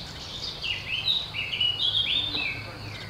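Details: Eurasian blue tit living at a campsite in the Brenne Regional Natural Park, central France, early May 2016, gives a run of high, twittering notes sliding up and down in a quick, uneven chatter, with a faint low hum.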